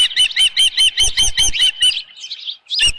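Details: At the Dunrovin Ranch nest, 6:41 PM on 10 June 2018, an Osprey with a headless fish gives quick repeated piping chirps for two seconds, then a pause, a softer trailing note and one more chirp.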